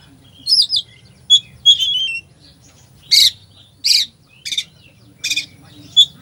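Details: Oriental magpie-robin in a full 'isian' song to fire up a slow bird: opens with bright warbled whistles and a downslurred note, then a series of harsh, grating squawks spaced under a second apart, ending with a sharp whistle.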